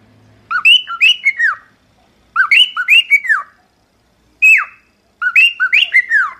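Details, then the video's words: Song from a cockatiel, meant for teaching another cockatiel to sing: the same swooping whistled phrase repeated about four times, each note sliding up then down, with brief silences between. "Aprenda Como Ensinar a Calopsita a Cantar"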